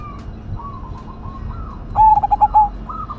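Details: Cemani Majapahit zebra dove with a big voice in an active singing bout: faint high coos from other doves lead into one loud pulsed coo phrase that ends in a sustained note.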